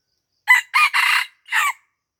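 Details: Red junglefowl from Aceh, lured near houses at Lamteuba: a loud, clipped crow in four bursts, with a short opening note, a longer two-part middle, and a final note after a brief pause, against silence.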